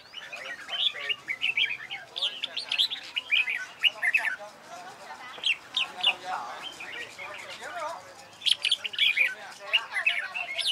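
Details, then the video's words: Red-whiskered bulbul in training for singing contests, pouring out dense runs of chirping, warbled notes in several bursts, with a brief lower murmur partway through and a strong loud burst near the end. "CHÀO MÀO HÓT ĐẤU HAY"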